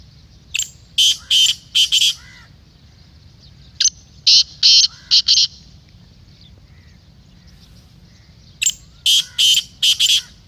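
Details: Black francolin (kala teetar) calling, played to get a kept francolin to call and prepare for chakri: phrases of four to five grating, rasping notes, repeated after pauses of about two seconds.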